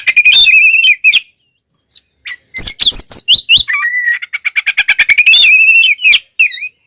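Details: Oriental magpie-robin singing continuously in fighting mood with tail spread, used to provoke other magpie-robins; loud whistled phrases with sliding notes, a brief pause, then a fast burst of rapid chattering notes and further whistles.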